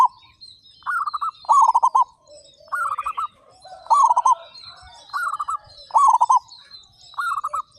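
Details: Local zebra dove, singing actively with a big voice: loud, rolling, stuttered coo phrases repeat about every second. Thin high whistles from other birds sound faintly behind.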